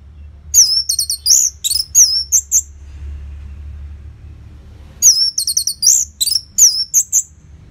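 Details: Orange-headed thrush song intended to make silent caged birds join in: two dense phrases of high twisting whistles and chirps, separated by a quiet gap of about two seconds.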